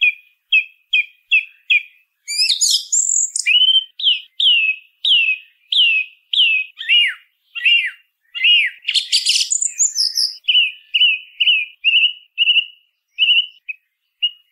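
Song thrush singing loud, clear whistled phrases, each note repeated several times before switching to a new one, with a few harsh scratchy notes between.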